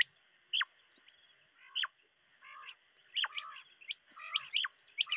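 Quail give sharp, high notes that drop steeply in pitch, repeated at irregular intervals with a few buzzier notes, over a steady high whine.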